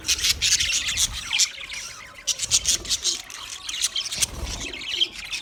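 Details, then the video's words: Chirping budgies give rapid, clicky high chatter and squeaks in uneven bursts, with a short lull in the middle before the busy twittering resumes. "sounds of budgies chirping"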